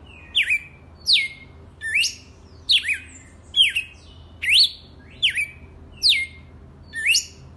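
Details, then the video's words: Wild red-cowled cardinal singing a steady run of nine sharp, whistled notes, each dropping then swooping upward, repeated roughly every three-quarters of a second with short clean gaps and little background noise. "Galo de campina SELVAGEM RAIZ"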